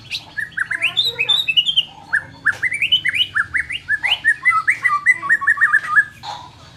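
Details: Varied white-rumped shama song for making a timid bird more aggressive: fast series of bright whistled notes and trills, many rising slurs, with a low hum in the background.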